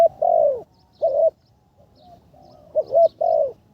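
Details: Spotted dove decoy under training on the ground, third session: a long drawn coo, a shorter one, a pause, then a quick triple of rounded low coos.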